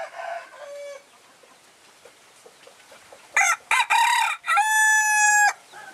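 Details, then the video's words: Young Phoenix rooster, the smallest of his group and nearly a year old, recorded January 16, 2010: soft clucks at first, then a loud crow of choppy opening syllables ending in a long, steady, harmonic-rich held note. "Phoenix Rooster"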